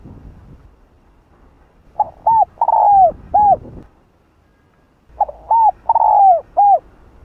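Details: Spotted dove in "Hạp Bổi" voice calling to rile other doves. Two phrases about three seconds apart, each of short hooked coos framing a long falling coo. Low rumbling noise precedes the first phrase and a short hush separates them.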